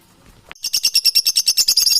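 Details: Parrot call: a brief click, then a steady, fast series of bright, high pulsed chirps, roughly seven per second, continuing to the end.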